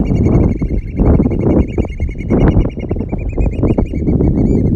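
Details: Oystercatchers in a courtship dance at Stratford Point Sanctuary on May 4, 2021: a dense, continuous run of sharp, high piping notes with ringing overtones, many birds calling together, over strong low rumbling wind noise.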